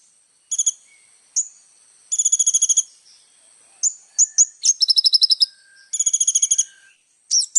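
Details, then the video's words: Little spiderhunter in vigorous song as tutor material for young birds: scattered high chips alternate with short buzzy trills of roughly ten quick pulses, several trills spaced a few seconds apart. "SUARA BURUNG KOLIBRI NINJA GACOR FULL ISIAN"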